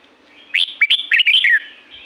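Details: A single clear, sweet phrase from a wild red-whiskered bulbul in La-u forest: a string of quick, slurred whistles wavering up and down, over a near-silent background.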